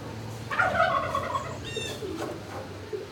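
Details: A turkey in a barn on 26 March 2019, around noon, gives a loud, rattling, harmonic call lasting about a second, followed by softer, higher squeaky calls from other birds and a low hum in the background.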